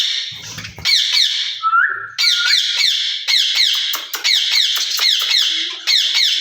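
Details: Caged ringneck parrots, a pair, exchange rapid grating screeches; early on a soft low rustle and a short steady whistled note, then dense runs of harsh squawks.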